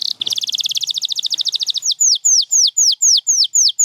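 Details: Canary pouring out a very fast rattling trill that slows and widens, then eight loud, evenly spaced down-slurred whistles, about two per second.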